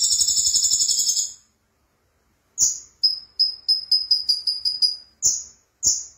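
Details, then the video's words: Sunbird called konin in full gacor song: a shimmering high trill fades into silence, then a rapid series of short piercing notes, about three per second, framed by sharp slurred calls. "Kicau Burung Konin Gacor"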